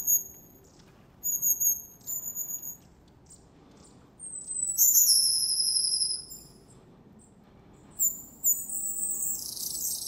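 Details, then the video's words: Wild long-tailed tits at the Zvenigorod Biological Station, Moscow Region, in January: scattered short high notes, then a long thin sustained call, followed by more high notes and a burst of hissy rustle. "Длиннохвостая синица. Long-tailed Tit. (Aegithalos caudatus). Январь. January."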